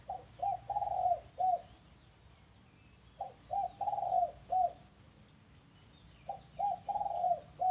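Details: Dove heard at a house, giving three matching phrases of soft, trilled, low coos, each about a second and a half long and spaced roughly three seconds apart, over a quiet low hum.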